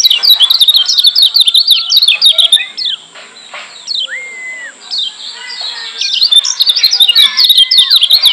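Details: Lombok white-eye singing an insistent masteran meant to make hearing white-eyes agitated: dense, rapid high twittering chatter, a calmer middle with a few slurred whistles, then fast chattering again.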